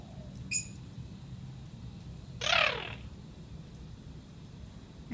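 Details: Pet parrot chattering in a trance-like state while having a shower indoors; a short high squeak, then a loud harsh descending squawk lasting about half a second, over steady running-water hiss.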